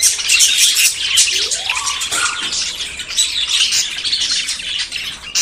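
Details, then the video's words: Courting budgerigars about to breed chatter in a thick, high warbling stream of chirps and squeaks; a lower rising whistled sweep passes through early on. "CON ESTE AUDIO TUS PERIQUITOS SE APAREARÁN"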